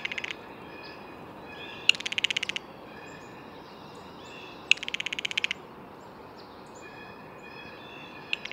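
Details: Blue jay producing two clear rapid rattling bursts, each under a second long, a few seconds apart, with soft high whistled notes from other birds in the quiet gaps.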